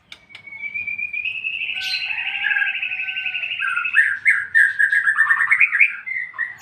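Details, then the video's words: White-rumped shama in ngeplong-ngeplong song style, meant to set other birds answering: a long, steadily held whistled note that swells, then breaks into quick rippling trills and warbled twists of varying pitch. "MURAI BATU NGEPLONG-NGEPLONG Burung anda pin ikut nyaut"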